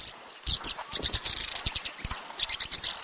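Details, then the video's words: Swallow in Russia chattering in dense, high twitters broken by sharp clicking sounds, lively and uneven. "Ласточка. Голоса птиц Росии"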